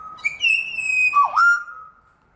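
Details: Wild pied butcherbird, one of a family of five visiting in the morning, singing out while wary of a nearby butcherbird: clear, pure fluted whistles, a long level note, then a dip and a steady held tone.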